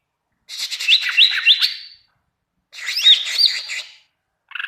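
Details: Greater green leafbird in full, vigorous song, a training recording meant to make other leafbirds answer: two bursts of rapid, bright, high chirps and slurred whistles with quick up-down notes, separated by a short silence, then a third phrase beginning.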